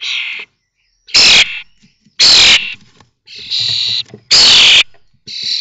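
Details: Common starling chicks in a nest box at Théding, 19 May 2024, 21 days after hatching, on the day all five fledged; loud harsh raspy bursts, broad and hissing, about every second, with quieter buzzy notes between.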